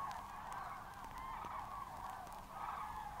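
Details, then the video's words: Common Cranes in a field recording from Matsalu: a dense, continuous chorus of many distant birds, honking and bugling calls merging into a steady mid-pitched wash, with no single caller standing out. "B3 Crane 2:32"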